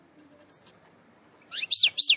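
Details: European goldfinch from eastern Algeria, a cage bird, giving two thin high chips followed by three quick buzzy, twittering bursts in close succession.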